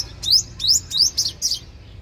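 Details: A five-coloured sunbird (hút mật 5 màu) gives five thin, high chirps, each a quick rising sweep, about a third of a second apart, over a faint low hum; used to call young birds and prompt others to sing.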